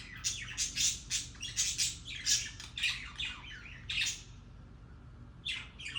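Budgerigars chatter in rapid, scratchy chirps and squawks, a warbling courtship display.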